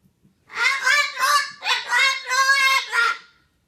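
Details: Angry parrot screeching indoors: a continuous string of loud, rough, strained screams, six pulsing bursts packed into about three seconds.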